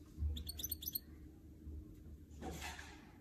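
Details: A canary x goldfinch mule sings a quick burst of bright, tinkling high notes in rapid succession, then a brief hissy rustle over a low background hum.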